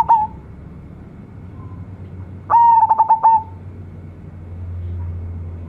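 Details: Zebra dove of a local line prized as a frequent, big-voiced singer: one loud cooing phrase of quick stuttered pulses held on a steady pitch, then quiet hum, with a brief note at the very start.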